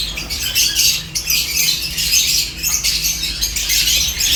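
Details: A flock of seventeen lovebirds eating corn produces rapid, piercing chirps and squawky squeaks packed closely together, rising and falling in intensity, over a faint low hum.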